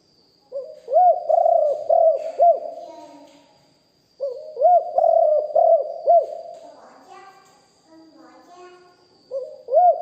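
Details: Live recording of a deep-voiced spotted dove in the Thai lio hoi and kuk hoi cooing styles. Runs of several mellow, hooting coos come in phrases about four seconds apart. Faint scratchy sounds follow the second phrase.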